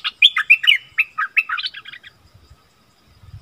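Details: Wild striated bulbuls in a fierce vocal dispute, one giving a rapid run of bright, bubbly chirps and warbled notes for about two seconds, then quiet with faint low rustling; 8 February 2021.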